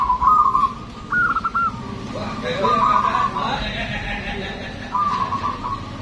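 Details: Local Zebra dove in full song, its voice loud and long, used as a lure: stuttering, pulsed cooing phrases repeated four times over a faint background murmur.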